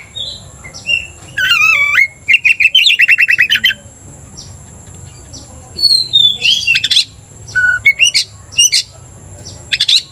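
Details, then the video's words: Caged Oriental magpie-robin, worked up by a rival's song, gives a quick trilled rattle and whistled notes, then scattered sharp chips and a descending whistle after a quiet stretch. "cepat emosi Kacer dipancing kacer GACOR ini"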